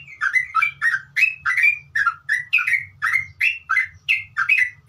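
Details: Sooty-headed bulbul, called trucuk, singing in a continuous ngeropel style: rapid repeated chattering phrases of rising and falling notes, about three per second, over a steady low hum.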